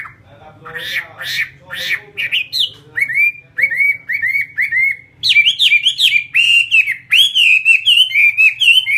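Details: Chinese hwamei, a fighting bird, begins with harsh buzzy notes, then a series of clear descending whistles, then lively quick warbled phrases rising and falling in rapid succession.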